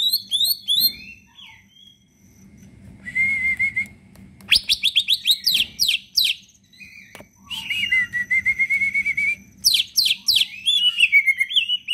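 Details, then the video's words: Caged green leafbird in full, lively song used as a trigger for lazy singers: bright whistled notes, long wavering whistles and bursts of rapid descending chirps, alternating with short quiet gaps. "cicak ijo gacorr full isian"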